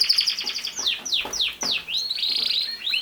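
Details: Singing canary opens with a rapid high trill, then drops into three sharp descending sweeps before a long, smooth rising whistle that holds steady and flicks upward at the end.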